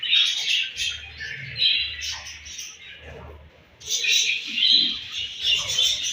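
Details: Budgerigars chirping in the morning at feeding time: a chorus of rapid, scratchy warbles and chirps in bursts, pausing briefly mid-way, with faint low thumps.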